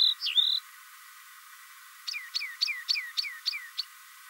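Rock wren: a high whistled, swooping note, then a quick series of seven sharp, down-slurred notes, about three or four each second.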